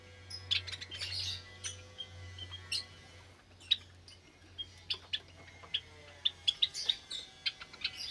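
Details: Java sparrows in a cage aviary where more chicks have hatched, Sunday morning, 8 May 2022: scattered sharp high chirps and a few buzzy bursts, over a steady low hum.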